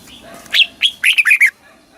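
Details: A single brisk phrase of Red-whiskered bulbul song, southern master style from Thailand, for exciting caged birds and teaching young: two spaced chirps then a quick tumble of three or four bright warbled notes.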